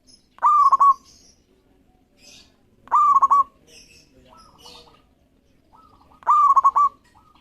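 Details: Local zebra dove singing responsively to provoke rivals into calling: a rising note breaking into a quick stuttered series of cooing pulses, repeated roughly every two and a half seconds, with faint softer coos between phrases.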